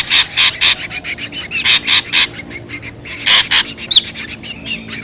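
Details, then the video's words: Harsh, rasping bursts from an ashy drongo used as a lure sound, given in uneven pairs and triplets throughout, with a brief thin upward whistle near the end. "SUARA PIKAT SRIGUNTING RIBUT | SUARA PIKAT SRIGUNTING ABU ABU"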